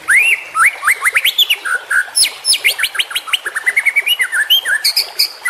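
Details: Juvenile white-rumped shama song used for training young birds: varied clear whistles, rising and falling slurs and sharp upsweeping notes, with dense high chips between phrases.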